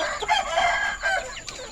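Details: Ayam Kampung/Ayam Bangkok rooster with red and orange feathers on a poultry farm, 21 February 2022, crowing during afternoon feeding. A harsh, harmonic-rich crow in two strained segments, broken off near the end.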